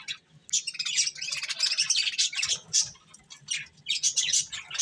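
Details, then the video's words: Budgies munching corn chatter in high scratchy chirps and fast warbled trills that come in bunched bursts between short quiet gaps. "Cute Budgies Enjoying Eating Corn | Love Birds Chirping Sounds"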